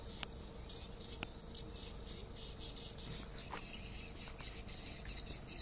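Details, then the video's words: Swiftlet distress call heard as a high, busy chatter of rapid chirps, punctuated by a few crisp clicks, with a soft steady hum below. "Swiftlet duress Call"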